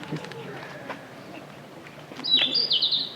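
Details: A Blue-and-white Flycatcher sings near a temple on wooded Mt Takao, Tokyo, in June 2013: a brief phrase of clear, high whistled notes that slide and run together near the end, after faint talking and outdoor sound.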